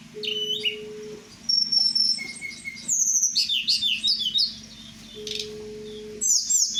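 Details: At night, a kept Merapi blue flycatcher (tledekan) sings a mix of sharp high notes, buzzy chattering bursts and a few long steady whistles. A low steady tone sounds twice, and a faint constant hum persists.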